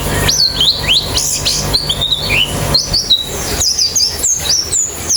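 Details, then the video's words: White-eye, played as training to make a caged bird sing quickly with an open beak: high, thin slurred whistles and chirps, several dropping in pitch, strung in quick bursts over a steady low hum. "Terapi Pleci Cepat Ngalas Buka Paruh"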